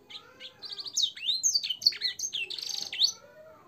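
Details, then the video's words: Domestic canary song in the blackthroat and sanger fill style, made for training caged birds: clear whistled slurs and twittering phrases rise and fall, with a brief buzzy trill near the end before fading. "suara burung kenari gacor isian blackthroat dan sanger untuk masteran"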